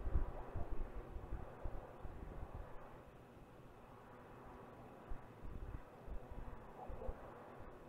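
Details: Low rumbling wind and distant traffic noise dominate, with irregular thumps and crackles but no audible call.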